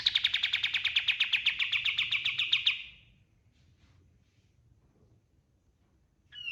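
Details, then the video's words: White-eye (kapas tembak) in energetic full song used as a master recording for training other birds: a fast, even run of about twenty buzzy chattering notes for nearly three seconds, then quiet with a brief note at the end. "SUARA KAPAS TEMBAK GACOR 100% DAHSYAT UNTUK MASTERAN SEGALA JENIS BURUNG"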